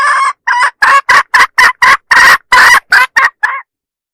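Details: Hen calling as a decoy to lure roosters, recorded in 2025; about a dozen loud, harsh clucking bursts in quick succession, each short and broadband, with brief silent gaps between them and nothing else heard.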